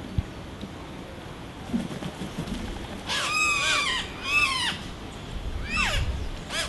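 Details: Oropendolas nesting behind a house in Sabanilla, San José, Costa Rica, on 8 April 2017: loud liquid gurgling calls with sweeping, descending and rising harmonic notes, two drawn-out phrases then a falling whistle, over faint low rumble.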